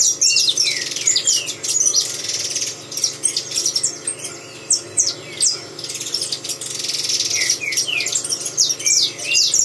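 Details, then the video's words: Saffron finch, apparently kept in captivity, singing indoors in a small room: dense, continuous high chirps and twittering notes with quick rising and falling phrases, in bursts with brief pauses; several similar birds may be singing together. "canário da terra cantando"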